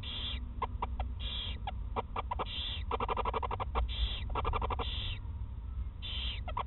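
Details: An owl mother and her first chick, in Eersel in 2018, make their typical sounds while she feeds it soft parts of a mouse: harsh, breathy hissing bursts roughly once a second, mixed with rapid clicking and ticking, over a low hum.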